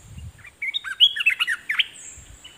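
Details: Red-whiskered bulbul used as a decoy, singing at wild birds: a burst of rich, fluid whistles with rapid up-and-down slurred notes, ending on a strong rising phrase, with a steady high hiss and low thumps in the background.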